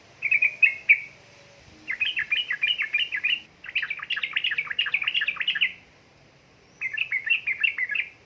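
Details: Yellow-vented bulbul female calling a male, played to get reluctant birds singing: long runs of fast, jumbled chirping notes in several bursts, with brief silences between them.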